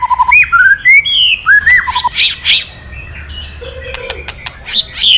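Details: White-rumped shama kretekan to rouse a silent male into responding: clear rising whistles, harsh buzzy bursts, a low held note, and scattered crackling clicks.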